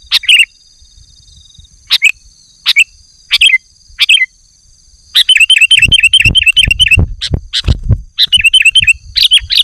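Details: Male sooty-headed bulbul calling a rival in the afternoon, four spaced bubbly phrases, then a fast chattering run of rapid warbled notes over low thumping background noise.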